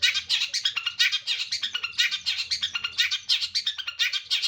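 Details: Long-tailed shrike in full song from a single perch, delivering a dense, continuous run of quick chattering and twittering notes, bursts roughly every quarter second with a brief pause near two seconds.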